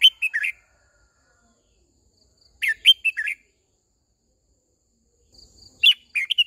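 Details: Red-whiskered bulbul, a caged decoy bird singing to call the flock and to train young wild-caught birds; three short bursts of warbled, whistled phrases separated by about two seconds of silence, with a clean, quiet background.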